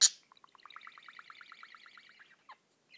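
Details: Pet budgie singing and tweeting: after a sharp click, a long run of quick, evenly spaced chirping notes about ten per second, buzzy and slightly rising, ending with a couple of brief separate chirps.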